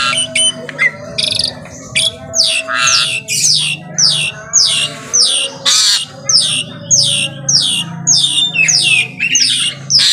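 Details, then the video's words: Asian pied starling in full morning song: repeated harsh, descending squawk-like notes with raspy buzzes and whistles, bursts coming about every half second in an uneven run, with a low background hum. "KICAUAN JALAK SUREN GACOR PAGI HARI"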